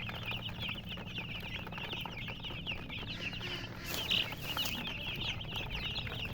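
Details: A brood of chicken chicks calls nonstop, thin high cheeps tumbling over one another at a fast pace, one sharper louder chirp standing out near the middle, with faint rumble below.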